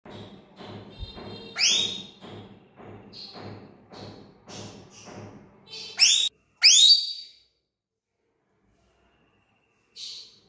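A lorikeet gives harsh, shrill rising screeches, a few sharp bursts seconds apart, over a low background hum and faint chatter.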